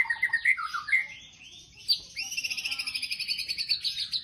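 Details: White-rumped shama in 'tembakan' song: opening slurred, falling whistles and fluted notes, then a sharp upward note leading into a fast, steady, pulsed high trill.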